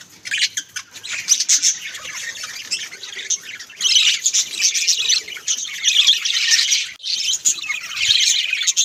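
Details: Home budgies chattering together: bursts of high squeaky warbling and chirps, dense and overlapping, with short lulls between loud stretches.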